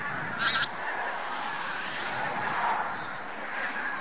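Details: Huge flock of Bean Geese mixed with some White-fronted Geese on spring migration at Lubiń near Trzemeszno, central Poland, early March 2018: dense, continuous chorus of overlapping nasal honks, with one brief broadband burst near the start.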